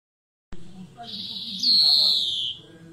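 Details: European greenfinch singing: after a short gap comes one long, nasal, buzzy wheeze that slides gently downward and fades at the end, over faint low background rumble.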